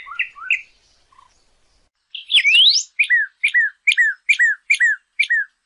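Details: Northern Cardinal (Cardinalis cardinalis) song, used to teach caged birds to sing: a long rising whistled slur, then about seven clear downslurred notes, roughly two per second, after a few softer chirps.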